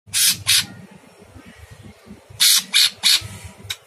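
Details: Sooty-headed bulbul in active, very harsh-voiced masteran with long bursts: two rasping, broadband bursts, a pause of nearly two seconds, then four more quick harsh notes, over a low steady hum.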